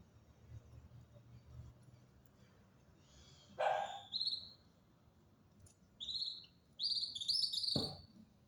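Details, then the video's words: Songbird singing in winter in a natural setting: a sharp note, then a short whistled phrase, followed by a cluster of bright, slightly descending whistles, with one abrupt click and quiet background. "Singer bird"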